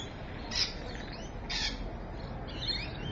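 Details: Rainbow lorikeet at Evans Head on the afternoon of 26 May 2012, about 3:45 pm: three loud, rasping high squawks, spaced about a second apart, over faint background noise.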